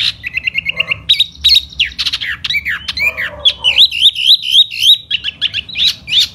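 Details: Silver-eared laughingthrush in spring, singing 'hót xoè'. A quick run of short whistles comes first, then harsh squawky notes, then a fast wavering whistled trill of repeated up-and-down notes.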